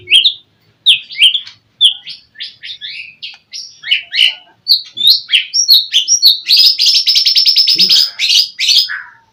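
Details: Singing white-rumped shama, the song aimed at rivals to make them reply: clipped high chirps and slurred notes building to a fast buzzy trill, then a falling whistle.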